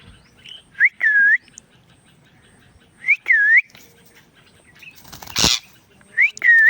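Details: Indian ringneck parakeet talking and making sounds: clear arched whistles rising then falling, given in pairs about every two to three seconds, with a brief burst of flapping or rustling noise.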